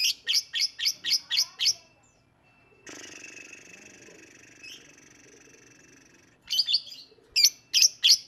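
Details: Lovebird singing: a quick series of seven shrill, evenly spaced notes, then a long buzzy, rasping trill lasting several seconds, followed by more piercing repeated chirps.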